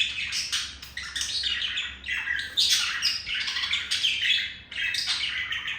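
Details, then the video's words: Male budgerigar courting a female, kept as a pet: a continuous scratchy warble of squawks, chirps and rasping notes, dense and busy, with brief pauses near two and a half and four and a half seconds. "Sound of seduction made by Olive the male budgie for Melody the female budgie"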